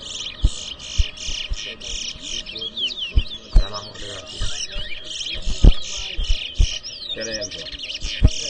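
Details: Towa towa bird at an inter-zone whistling competition in New Amsterdam, Guyana, giving a steady, pulsing series of high buzzy whistled phrases repeated roughly every half second, then twisting slurred notes, over faint music and knocking sounds.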